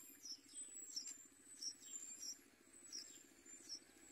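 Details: Yellow bulbul chicks in the nest give thin, very high chirps, repeated roughly every half second, as a parent brings food, over a steady high insect whine and a low hum.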